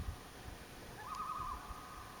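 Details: Common loon near Elliot Lake, Ontario, recorded on a camping trip on July 27, 2015: a single short quavering, trembling call, slightly rising at its start, over low rumbling background noise.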